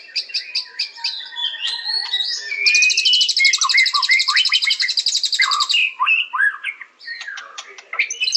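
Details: White-rumped shama pours out a rich, fast song of clear whistles, rattling trills and sharp chips, shifting phrases every second or two, with no other sounds.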